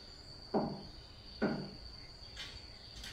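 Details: A young male blond-crested woodpecker, which lives in a garden and has taken to pecking glass and wood, gives two dull, hollow knocks at a window about a second apart, with fainter taps after, over a steady high insect drone.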